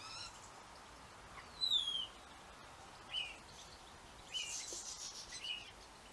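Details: European goldfinches, at least 40 at this time of year, calling while eating from a feeder filled with Guizotia abyssinica seed: a few short, bright chirps and one falling whistled note over a steady background hiss.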